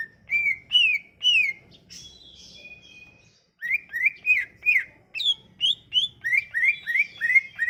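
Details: Sumatran leafbird song used as a lure to get silent leafbirds singing: quick runs of downslurred whistled notes near mid-high pitch, with a brief break of buzzy, sustained notes before the rapid phrases resume.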